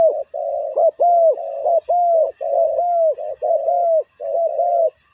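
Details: Spotted dove working as a ground decoy to lure wild doves: an almost unbroken stream of hollow, arched coos that run into each other, ending in a short pause.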